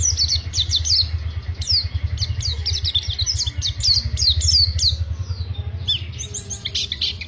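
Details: Pacitan Oriental white-eye giving an extended ngriwik twitter: a dense run of high, sharply falling chirps at about four a second, over a steady low engine-like hum throughout.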